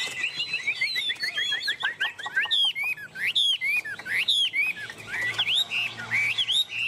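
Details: Hwamei held on a hand and singing hard, dense volleys of sharp upward-flicking whistles and chips delivered almost without pause.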